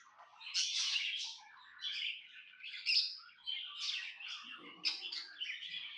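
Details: Pet budgerigar chirping happily, rolling phrases of rasping chatter and soft whistles, with a short low rumble near the end.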